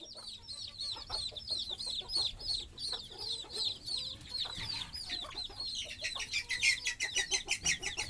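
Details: Chicken chicks with their mother hen at night as she sleeps on a stick above the nest, the young trying to settle beside her: dense high, rapid descending peeps from many chicks, with short lower clucking pulses and a brighter burst near the end.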